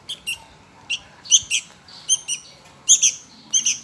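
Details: A hungry young Sooty-headed Bulbul calls for food with bright, high-pitched chirps, mostly paired, spaced irregularly over a quiet background.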